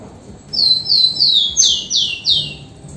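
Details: A rufous-collared sparrow, or tico-tico, sings a fast run of about six whistled notes, the first ones level and high, the later ones louder and sweeping downward.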